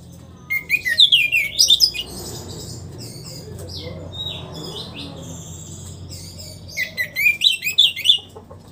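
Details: Orange-headed thrush kept in a cage, singing after its moult: loud clusters of quick, high, twittering notes open and close the passage, with a stretch of low background hum between them.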